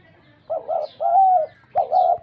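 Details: Three dove call phrases: a doubled short note, then a long smooth level tone, then another doubled note, with faint distant chirping above.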